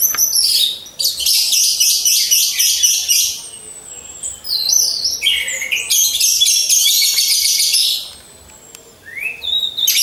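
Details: Captive orange-headed thrushes, hung in a row, deliver dense high trilled phrases with fast repeated notes for several seconds, then a pause before a single rising whistle; faint low cooing persists behind.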